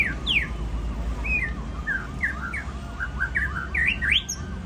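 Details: White-rumped shama singing at a bird contest in Ladong, where it was named champion: a series of short downslurred whistles spaced about half a second apart, ending in louder rising notes, over busy background chatter.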